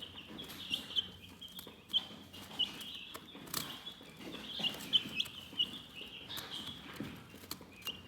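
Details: Calm, relaxed chickens giving scattered high peeping chirps in loose clusters, quieter between bursts, with occasional sharp taps and clicks and a low background murmur.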